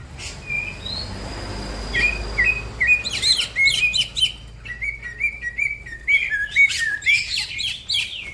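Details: Green leafbird singing fast, with other birds joining in: a few soft whistles at first, then a loud, busy run of repeated slurred chirps and crisp high notes.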